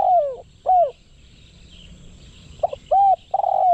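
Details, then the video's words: Decoy spotted dove used in Thailand to attract wild doves; loud mellow arched coos, two in the opening second, a pause, then a quick series of three more ending in a longer note. "เสียงนกเขาใหญ่ นกต่อ"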